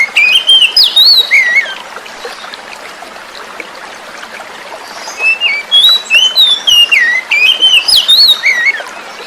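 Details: Forest-caught young oriental magpie-robin singing to prompt silent magpie-robins, set against flowing water; two bursts of quick varied whistles separated by a lull of about three seconds, each phrase full of swoops and sharp inflections.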